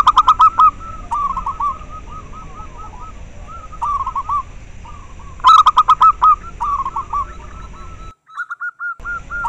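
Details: Local zebra dove, recorded to stimulate breeding drive in caged doves: bursts of loud, bright repeated notes alternate with long runs of softer rolling coos, with a brief silent gap near the end.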